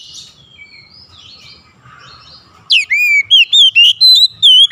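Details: Oriental magpie-robin starting with soft, scratchy warbles, then breaking into loud, sustained whistled notes that dip and rise, repeated in a quick series.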